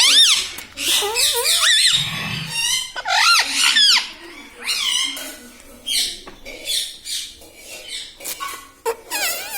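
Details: Pet parrot chattering indoors, known for saying mummy, papa and radhe radhe: nearly continuous shrill, wavering syllables in uneven bursts about every second, with squawky notes and soft rustling between phrases.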